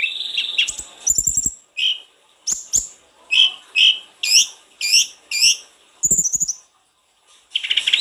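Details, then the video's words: Snowy-browed flycatcher singing in lively full-repertoire style, used to stimulate singing: bright, upswept whistled notes repeated about twice a second, with twittering trills and clicking noises at the start and end. "Burung sulingan gunung gacor full isian,cocok buat pancingan sulgun anda"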